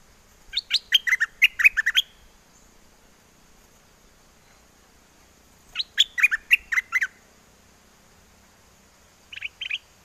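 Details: Caged bulbul of the wild-song style from Chana, Songkhla, southern Thailand, calling well for a mate; bursts of quick chirpy notes sweeping down from high to mid pitch, about eight notes each, repeated after pauses, with a shorter two-note phrase at the end.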